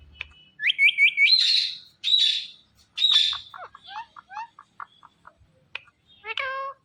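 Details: Indian ringneck parakeet making natural sounds: a run of rising chirps, then loud harsh screeches, scattered short whistled notes, and a final burst of stacked nasal squawks.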